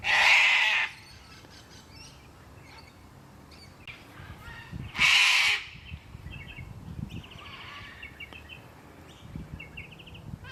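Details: A Sulphur-crested Cockatoo in Carisbrooke Park, a suburban Adelaide park with river red gums in South Australia, gives two loud, harsh, broadband screeches about four seconds apart, with softer chirps of small birds between them.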